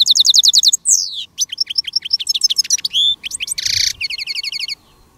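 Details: Caged decoy goldfinch singing during a Spanish silvestrismo field day to attract wild goldfinches alongside a female decoy: rapid tinkling twitter of repeated high notes, a sweeping slurred phrase, buzzy bursts and liquid chirps in fast succession.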